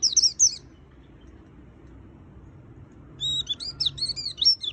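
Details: White-eye singing in the energetic full-fill style, recorded 2020: a short burst of high twittered notes, a pause of quiet background hiss, then a denser run of sharp, rapidly varied chirps.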